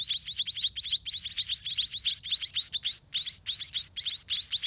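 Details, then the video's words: White-rumped munia chicks in a dirty garden nest begging while parents feed them: a dense, continuous stream of high, thin chirps, each sweeping steeply downward, overlapping rapidly with brief pauses. "Parent Birds in Garden Feeding Their Chicks"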